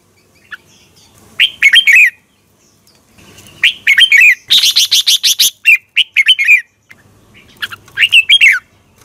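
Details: Red-whiskered bulbul decoy bird singing its morning contest song to spur others: several fast, warbling whistled phrases, with a burst of rapid, high chattering notes in the middle, then more rolling phrases.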